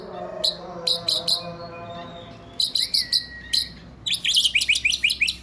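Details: White-rumped shama male singing isian phrases: spaced high chips, a smooth rising-then-level whistle, and a closing rapid series of loud, harsh high notes.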